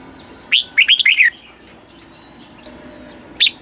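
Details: Thai Red-whiskered bulbul singing southern master-style song used to make caged birds eager and to teach young birds; one rapid, warbling phrase of several whistled syllables, followed by quiet and a single short note.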